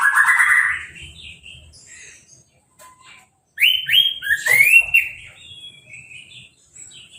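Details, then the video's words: Orange-headed thrush, a caged bird just after moult, singing right after a hose-spray bath without a cage cover; loud rich warbled phrases, a slurred whistle opening, then bright rising and falling notes after a pause. "Anis Merah Sehabis Mabung Mandinya Disemprot Selang , Gak Pakai Kerodong , Bisa Langsung Berbunyi"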